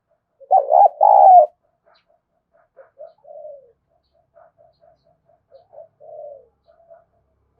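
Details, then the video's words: Lure call of a spotted dove for attracting doves. One strong, rough two-part coo opens, followed by several seconds of faint, scattered low coos and a soft falling note. Otherwise silent. "Tiếng Chim Cu Gáy Kích Bổi Nhanh nổi Hiệu Quả #5 || Chim Cu Gáy Mồi"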